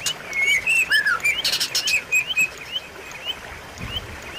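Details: White-rumped shama song played to stimulate a caged bird that has gone quiet: a burst of clear rising whistles and a short rattling phrase, then softer, more spaced notes.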